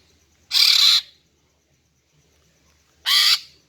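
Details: Two long, hoarse, rasping calls about two and a half seconds apart, given by a female greater green leafbird to attract males; silence between them.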